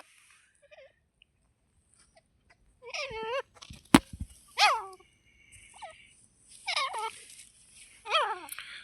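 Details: Grey francolin during a fight, giving loud, harsh calls of rich, descending notes in bursts a second or two apart, with a sharp click partway through.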